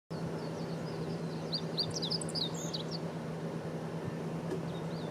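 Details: Meadow bunting singing at Kosugenuma, Uozu, Japan, on 9 June 2019: a quick run of high, thin, twisting whistled notes over about two seconds, with a steady low hum and rumbling background noise.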